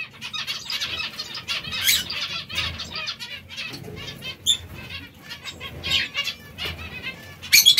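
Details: Captive zebra finches feeding on seeds and fresh lettuce keep up a busy stream of nasal chattering notes from several birds, with a loud burst at the end.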